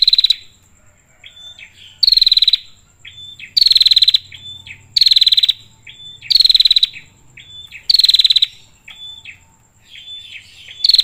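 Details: A female prinia calls for the male in a clear, high series of harsh trilled bursts. Each burst is separated by soft thin piping notes, and the pattern recurs roughly every one and a half seconds.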